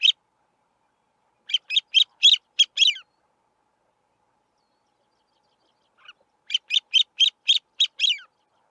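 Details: Male Grey-winged Francolin calling from a termite mound in grassland: two bursts of six or seven harsh, squeaky notes in quick series, each burst about one and a half seconds, separated by a three-second pause, no other sounds.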